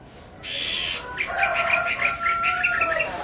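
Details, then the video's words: Chinese hwamei (họa mi) song: a brief noisy burst, then a quick row of short whistled notes repeated about six times a second, with a steady lower whistled tone beneath. "tiếng hót hay nhất của chim họa mi phần 2 | The beautiful song of the nightingale part 2"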